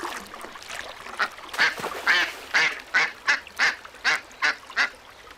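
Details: Duck giving a series of nasal quacks, loose at first, then about three a second, each with a rough, buzzy edge.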